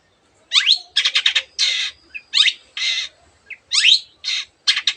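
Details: Long-tailed shrike delivering varied mimicked bird sounds: upward-sweeping squeals, grating chatters and wide raspy notes in quick succession, loud and close, with a quiet background.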